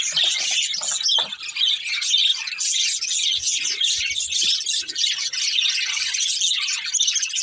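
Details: Several budgerigars, a family group, playing and chirping together: dense, continuous high chatter of overlapping squeaky chirps and harsher squawks, with no pauses throughout.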